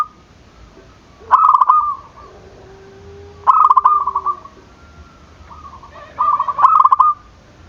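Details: Calling zebra dove, meant to provoke rivals into calling back. Three phrases of rapid pulsed coos, each followed by a trailing note, about two seconds apart. A soft, steady, lower whistle sounds in the gaps.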